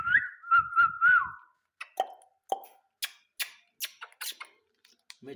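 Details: Baby ringneck parrot talking: a few clear whistled notes with a little wobble, then a quick string of short, harsh, speech-like syllables repeated several times, as if saying "to me" over and over.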